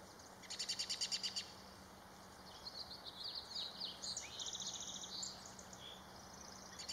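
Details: Black-capped chickadee (Poecile atricapillus) recorded 13 March 2022: a quick burst of buzzy, repeated high notes, then a run of thin, twittering chips over a faint steady hum.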